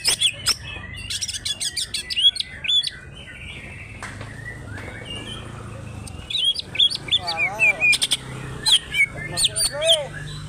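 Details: Singing greater green leafbird of Banyuwangi's Alas Purwo forest, Indonesia, in rough "trok bul" style. Dense high chips and whistled upsweeps open the phrase, then a lull, then a burst of looping warbles and sharp rising notes.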